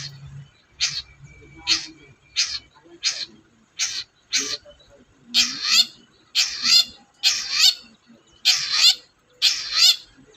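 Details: Long-tailed shrike, to coax a quiet shrike into song: a low note, then repeated harsh, buzzy notes about once a second, growing longer and louder toward the end.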